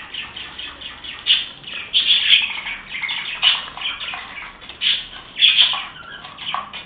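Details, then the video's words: Happy budgerigars in a lively chorus of chattering chirps and short squawks, overlapping continuously with frequent loud bursts throughout. "Periquitos felices"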